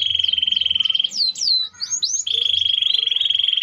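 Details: Canary (kenari AF) in full gerek-style song: a steady rapid whistled trill, a burst of loud swooping slurs and chatter in the middle, then the fast even trill resumes.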